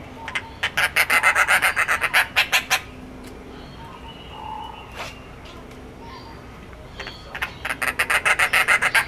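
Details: A Dollarbird (Eurystomus orientalis), found in northern and eastern Australia, gives two bursts of harsh, rapid cackling, about four rasping notes a second, with a quieter pause between them and faint background calls.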